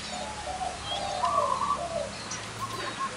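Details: Zebra doves with big and small voices gathered at one site sought by bird trappers; brief rapid staccato cooing trills near mid pitch, two short bursts, over steady outdoor background hiss.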